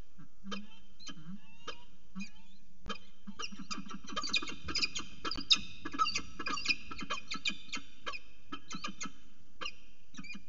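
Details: Pair of peregrine falcons calling together in the evening at 6:45 pm on 11 December 2018 at CSU Orange: rapid run of harsh, ringing notes with stacked overtones, roughly one a second, growing busier and louder midway over a steady low hum.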